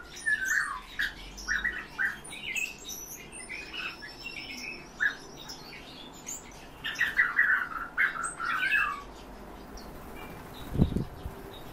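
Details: Several captive European bee-eaters call together in rolling, purring trills that come in clusters, ending with a low thud.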